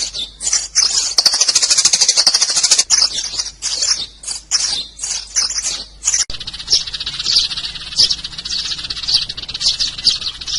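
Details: Sparrow calls used as a lure: busy stream of high, sharp chirps, some overlapping, forming a continuous chattering chorus that stays bright and shrill throughout.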